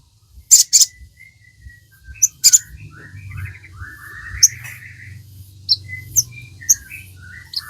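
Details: Crimson sunbird singing, played to train captive birds: scattered sharp high chirps and short twittering phrases over a faint low hum.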